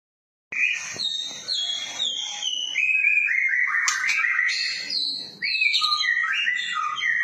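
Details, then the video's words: White-rumped shama singing a lively, varied song with cililin-style phrases, recorded as tutor material for training songbirds: loud whistled notes and rapid trills sliding between high and mid pitch, continuous and dense after a brief silent start. "Masteran Murai batu PASTOL langsung NYAUT cililinan mewah"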